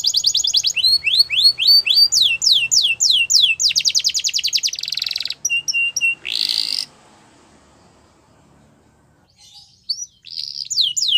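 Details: Canary in song: fast rolling trills of repeated rising notes, several tours in a row, a harsh buzzy burst, a quiet pause, then more rapid rising notes.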